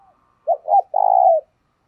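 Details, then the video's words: Spotted dove kept as a lure for wild doves, one phrase of two short coos leading into a long, even, buzzing coo that fades at the end. "Tiếng Chim Cu Mồi Thúc Gù Và Gáy Gọi/ Chim Cu Gáy Kích Bổi Nhanh Nổi Hiệu Quả"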